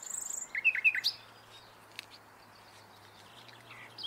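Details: Common nightingale song: a fast high trill, then three loud, clipped, descending chirps and a sharp upswept note, with faint scattered notes and a low steady hum behind.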